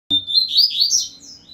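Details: Double-collared seedeater singing while placed facing another of its kind: a bright whistled note held steady, then a quick run of wavering, slurred high phrases that rise and fall before fading.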